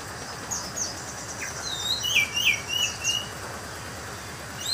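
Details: Kept orange-headed thrush from Banjarnegara, described as "teler": a few scattered high whistled notes and a short bright warbled phrase midway, fairly soft against constant low rumbling background noise.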